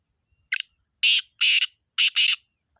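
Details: Black francolin calling in Sindh, Pakistan: five loud, scratchy, buzzy notes in a pattern of one short note, two drawn-out rasps, then a fast double rasp, with no other sounds behind.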